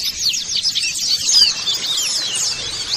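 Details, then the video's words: Flock of white-eyes, colony sound used to encourage singing: bright rapid twitters and looping high trills overlapping continuously, a few clearer whistled notes rising above the chatter. "pancingan pleci agar buka paruh"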